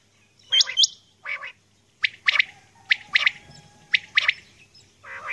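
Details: Female common quail heard calling at dawn, giving clipped, buzzy notes mostly in pairs, spaced under a second apart, starting with two higher sharper notes, over a quiet low hum.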